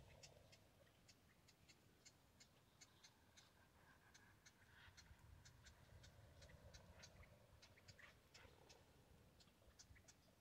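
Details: A murmuring flock of blackbirds, possibly Mexican, at Whitewater Draw Wildlife Area in McNeal, Arizona, on 11 January 2022, heard as distant steady chatter with many sharp, clicking high notes scattered throughout over a low rumbling background.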